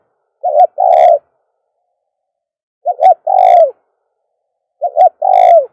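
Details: Repeated dove coos from a recording for calling doves. Three phrases about two seconds apart, each a quick doubled note then a long level coo sinking at the close. No other sounds.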